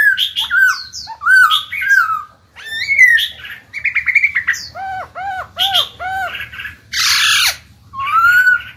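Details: Caged Black-throated laughingthrush singing to stimulate newly caught birds to sing: varied loud whistled phrases, rising and falling slurs, then a run of four repeated dipping notes and a harsh rasping burst near the end.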